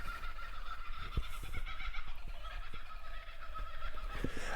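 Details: Kookaburras cackle in a steady, rolling distant chorus of harsh laughing notes around 4 pm on a sunny day at a campsite in rolling farmland on the Hume and Hovell Track, under wind rumble and handling noise.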